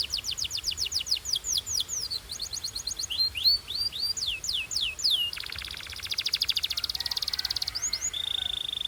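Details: Belgian canary singing as it warms up, delivering fast runs of high downward-slurred notes, a brief rattling trill, then a long dense buzzy roll ending in a sustained flat whistle.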